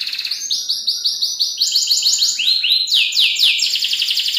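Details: Local canary's rolling, richly varied tutor song for other songbirds: repeated looping high notes in quick succession, stepping lower, then bright downward sweeps and a final fast trill.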